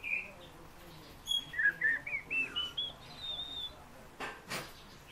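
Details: Fieldfare song used as a vocal lesson: a high opening note, then a string of short whistled notes climbing step by step into a long thin whistle, followed by two clicks.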